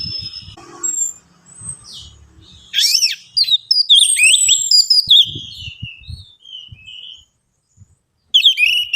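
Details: Varied orange-headed thrush song for luring reluctant singers: busy, tumbling whistles and sharp chirps rising and falling, including slurred swoops and a long descending phrase, with low thuds in the background and a fresh burst at the end.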